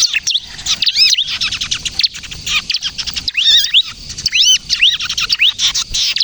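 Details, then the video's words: Bar-winged prinia, called ciblek kristal, delivering energetic song meant to lure and provoke other birds into singing: rapid high chips interleaved with looping up-and-down whistled notes and brief gaps, continuing without letup. "suara burung ciblek kristal gacor, ciblek kejepit untuk pikat dan pancingan ciblek bahan agar bunyi"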